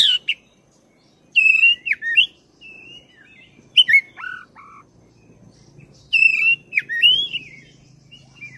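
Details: Long rolling song of a persistent black-breasted oriental magpie-robin, played to provoke a caged bird into singing: rich varied phrases of slurred whistles, trills and falling notes in bursts every few seconds, with a faint low hum.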